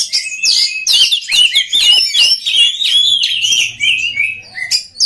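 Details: Oriental magpie-robin singing, a recording meant for training other magpie-robins: quick warbled whistles and sweeping chirps tumble together loudly, easing into a softer descending whistle and then a final sharp note.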